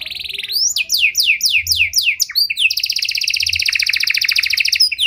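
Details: Panda canary with a fancy song style, played to bait and train other canaries: a quick run of repeated downward-sweeping whistles about four per second, followed by a rapid, steady, buzzy high trill.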